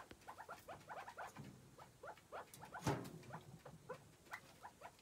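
Chukar partridges give rapid, overlapping clucking chuck notes, several per second in an uneven rhythm, with one sharp knock partway through.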